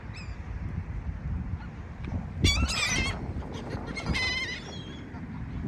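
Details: A seagull at the beach lets out two strong, rich, wavering cries, each about half a second long, a second apart, above the steady hiss and rumble of waves.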